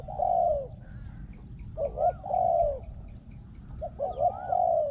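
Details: Spotted dove calling as a decoy for catching wild doves, its coo rated very good; long full coos alternate with clipped double notes, and a faint arching whistle from another bird is heard between phrases.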